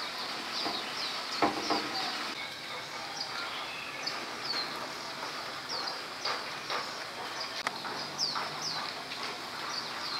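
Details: A common tailorbird foraging after rain gives short, high, sharp chirps about every second over a steady hiss of outdoor background noise.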